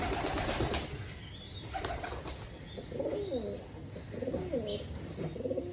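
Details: Hungry pigeons on a rooftop pigeon farm at breakfast, after rustling and clattering, a run of wavering, throaty coos rising and falling in quick succession, with faint high chirps behind.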